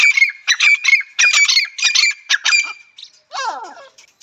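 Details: Grey francolin (teetar) calling for hunting: loud, shrill, clipped notes repeated rapidly at an even high pitch for about three seconds, then a softer descending chattering phrase.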